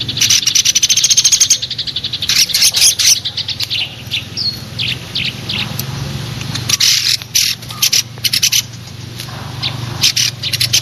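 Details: Eurasian tree sparrow chirping in a mix with platuk beras: a fast run of sharp repeated notes opens, then irregular bursts of short chirps, with a steady low hum throughout.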